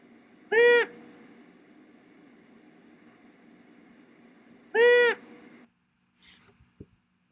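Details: Female Long-eared Owl in the Southern California mountains giving duet/nesting squawks, two harsh, nasal bursts about four seconds apart, similar to Great Horned Owl squawks; a faint click follows.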